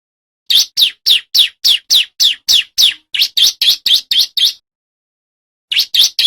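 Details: Male bar-winged prinia in full song for training and trapping wild birds; a long string of sharp, high, evenly spaced chips, slightly quickening midway, then a brief silence before another run.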